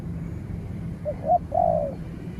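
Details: Spotted dove in a contest with a wild rival dove keeping its distance. After a quiet stretch, two short notes lead into one long, slightly falling coo.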